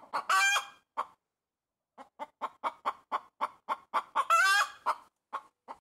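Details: Loud pet hen on a tree branch: a harsh drawn-out squawk, a pause, then a run of evenly spaced short clucks building to another long raspy squawk and a few trailing clucks.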